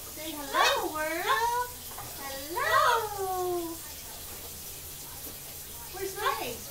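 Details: Pet female double yellow-headed amazon indoors, with children in the background, giving loud whining, speech-like drawn-out calls that swoop down in pitch, repeated three times, the last one shorter.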